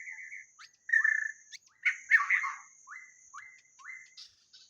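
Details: White-rumped shama song used to lure birds, clear whistled notes, a loud rattling burst, then a series of short rising slurs spaced about half a second apart, over a faint constant whine.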